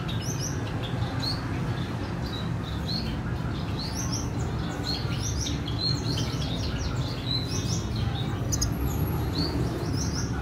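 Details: Female red siskin with her chick, 14/4/2021: a continuous chatter of short, high, rising chirps, fairly evenly spaced, with a brief thin whistle near the end, over low constant hum.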